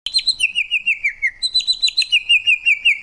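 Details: Rapid pulsing trill from a greater green leafbird, about six even notes per second, sliding gradually lower, then jumping back up and repeating in a bright, steady rhythm.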